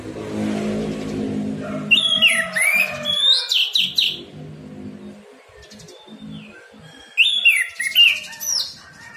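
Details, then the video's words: Orange-headed thrush, a morning recording used to coax silent caged birds into singing: two bursts of rich, fast, whistled and slurred phrases, rising and falling, separated by a pause. A low murmur is heard at the start. "terapi Anis merah ngeplong pagi pancingan anis merah macet bunyi masteran anis merah cepat bunyi"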